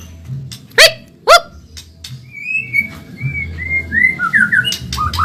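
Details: White-rumped shama of the Medan type, singing fast and energetically in a training recording for caged songbirds: two sharp loud clicks, then a run of clear whistled notes sliding up and down, over a steady low hum.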